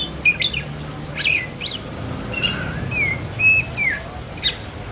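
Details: Oriental magpie-robin in 'gacor ngerol' singing: spaced, bright whistled notes and short slurred chirps, some rising and some falling, set against a steady low background hum.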